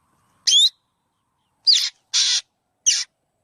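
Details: Black drongo giving four loud calls: two-part whistled notes with bent, sliding pitch and a broad, scratchy buzz, spaced irregularly over three seconds in otherwise silent surroundings.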